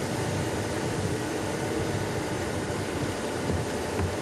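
Steady loud hiss and rumble across all pitches, like fan or engine noise, unchanging throughout with no animal calls.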